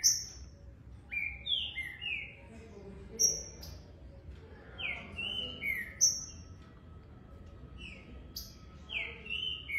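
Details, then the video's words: A young Green-winged Saltator, recorded 30 September, sings fast but does not yet join its songs together: quick bursts of clear, sliding whistled notes, some high and some mid-pitched, in loose phrases over a low background hum. "trinca ferro filhote bom"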